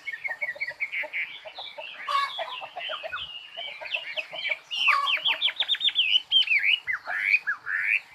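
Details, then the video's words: Dense, busy bird song of rapid twittering, chirps and slurred whistles, tumbling continuously with several bright rising notes; a faint low thump is heard in the background. "Chim hót"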